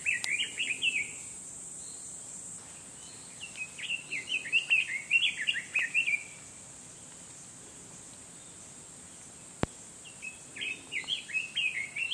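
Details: A red-billed leiothrix in hill forest at Muroike park on a dangerously hot July summer day sings quick, fluty warbled phrases in three bursts over a steady high insect hum; the observer wonders how its song differs from its calls.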